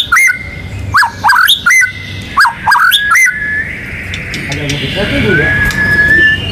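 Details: White-rumped shama (murai batu), a national contest champion in full song with ngerol and nembak phrases, used to prompt other birds to sing: sharp clipped chirps in quick bursts, then a long steady whistled tone with faint background noise.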